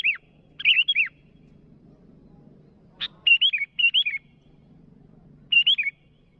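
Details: Sooty-headed bulbul calling to rivals with short, loud phrases of two or three fluty, wavering whistles, each phrase repeated after a pause, against a faint low hum.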